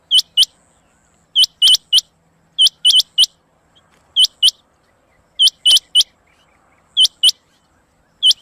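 A female Rain Quail gives sharp, high, clicking notes in quick pairs and triplets, with a burst about every second and a half over a quiet background.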